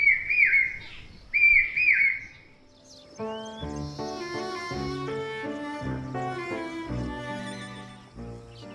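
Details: Common Hawk-Cuckoo, the brain fever bird heard singing loudly in the rainy season, gives two loud, shrill, rising three-note 'brain-fe-ver' phrases in the opening seconds, then instrumental music takes over.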